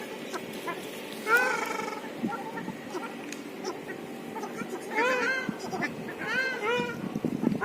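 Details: Ruddy shelduck in the north of Moscow, Russia: a few nasal, arching honks with rich overtones, in three bursts around the second, fifth and sixth-to-seventh seconds, over a steady low urban hum.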